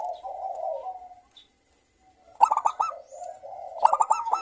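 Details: Local zebra dove with a clear, crystal-toned voice, used as a lure to stir other doves into singing. Soft low warbling gives way to two bursts of quick, hooked cooing notes, each burst clipped and ringing.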